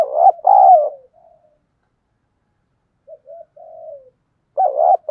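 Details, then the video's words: Spotted dove kept as a lure for wild doves, in the 'thổ' style: loud paired coos, softer descending notes, a pause, faint murmuring coos, then another loud rolling double coo. "Tiếng chim cu gáy kích bổi - Chim Cu Mồi"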